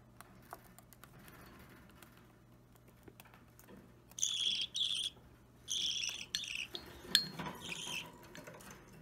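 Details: Budgerigar chick about three weeks old, opaline or normal green, restless while being hand-fed, filmed 30 March 2017; a few raspy, buzzy chirps in short bursts after a quiet start, with light handling clicks.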